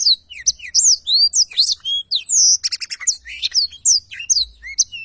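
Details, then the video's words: Blackthroat singing continuously in clean audio: a varied stream of loud whistled slurs, upward and downward sweeps, and a buzzy stuttered burst near the middle, with almost no gaps. "Tarikan Suara Blackthroat Super Gacor Ngerol Panjang"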